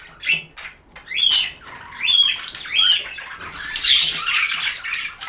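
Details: Pet budgerigars chirping indoors: bursts of high, warbling chatter with quick rising and falling whistles, scratchy notes and short squeaks, loud phrases separated by brief quieter gaps.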